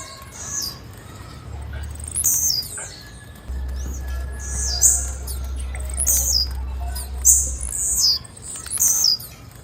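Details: A female blue-black grassquit repeats sharp, high-pitched descending chirps at irregular intervals of roughly one to two seconds, some doubled, against soft background hiss and a constant low hum.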